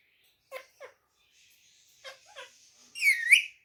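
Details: Ringneck parakeet said to talk in Urdu and Hindi: a few short clicking syllables in two groups, then a loud wavering whistled phrase that rises and falls, indoors.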